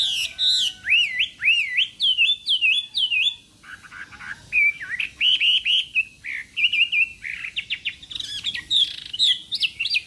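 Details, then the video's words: Chinese hwamei in morning voice-training song for singing contests, clear whistled phrases rising and falling, repeated in short bursts with brief pauses, later becoming busier and more chattering. "Hoạ Mi Hót Đấu /hoạ mi hót sáng luyện giọng kich bổi sổ giọng chim hót hay mỗi ngày/"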